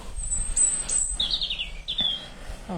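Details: At sunset on the South Downs, a European robin, a species that sings almost around the clock in light, gives thin, very high whistles and then a quick, warbling descending trill, with a person speaking softly underneath.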